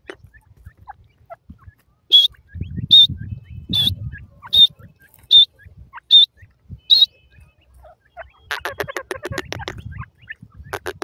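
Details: Female Indian francolin; a series of seven loud, sharp, high whistled notes spaced under a second apart, followed by scratchy, clicking noises and low handling rumbles.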